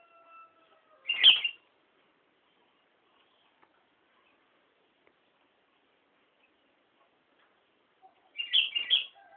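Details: Sooty-headed bulbul at Nambangan repeating a short, cheerful warbled phrase twice, about seven seconds apart, each three quick liquid notes, with a faint distant crow at the start and silence between.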